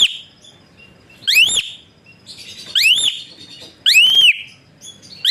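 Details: Asian pied starling, kept as a songbird, giving loud whistled notes used as a training model for other birds: three strong upslurred-then-falling whistles about a second apart, with harmonics, between quiet pauses.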